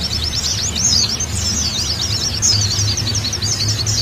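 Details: Oriental white-eye tutor recording meant to train caged group-kept birds and test their response: fast, high, squeaky twittering with looping slurred notes, unbroken throughout, with a faint low rumble beneath.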